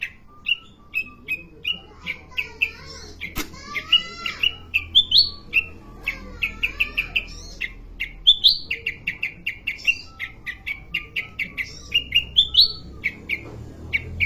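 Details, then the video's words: Sooty-headed bulbul in a lively, varied sequence of sharp whistled chirps and quick twittering phrases, some rising, delivered in bursts with brief pauses, against low constant background hum. "KUTILANG EMAS SUPER MEWAH"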